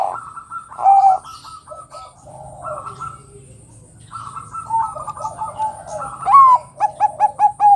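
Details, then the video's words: Bangkok-type zebra dove singing in lively, chattering style, said to provoke other doves into agitated song: stuttered, throaty cooing phrases near one pitch, broken by pauses and ending in a run of quick clipped notes, low hum underneath. "Suara PERKUTUT Bangkok Gacor NGEROT super BEKUR ini paling pintar membuat Kutut Lain BUNYI emosi"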